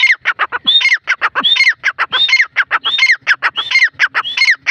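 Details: Partridge giving a long, steady run of harsh, grating notes, punctuated about every 0.7 seconds by a high whistled note that rises then drops sharply, forming a rapid rhythmic chant.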